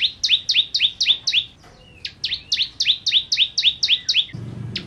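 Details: Ciblek kristal, the bar-winged prinia, delivering vigorous 'nembak' song: quick series of upward-sweeping, sharp chip notes, about four per second, broken by a brief gap, ending with a soft low thump.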